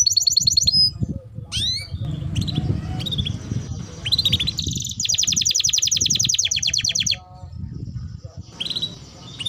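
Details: Canary singing energetically in a master recording used for training other birds: high, rapid trills and rolling buzzy runs, brief whistled sweeps and chirps, with a long fast-pulsed trill mid-way, over a low rumbling background noise.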